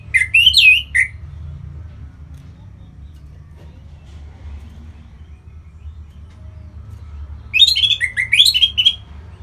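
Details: Orange-headed thrush in song, offered as a lure for other birds: an opening burst of quick, wavering warbled notes, a long quiet pause, then another fast run of rising and falling slurred whistles.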